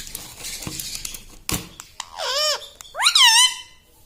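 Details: Talking parrot kept as a pet, heard indoors: after scattered clicks and a knock, two clear, harmonic, arching syllables, the second louder and higher, like a short spoken word.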